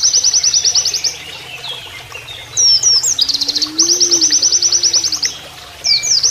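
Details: Canary-like 'nembak kenarian' song of an Oriental white-eye as a training master: high rapid chipping trills of about a second each, separated by looping whistles, over a low hum of flowing water.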